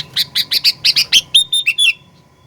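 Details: Sooty-headed bulbul song meant to provoke birds: a fast series of about seven harsh chirps, then rising and falling whistled notes trailing off, over a low rumbling background.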